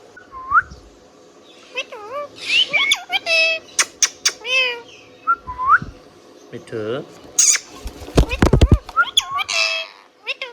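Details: Indian ringneck parrot whistling and chirping in bursts: rising whistles, dipping warbled notes, sharp ticks and a rough, buzzy patch near the end, with short pauses between phrases.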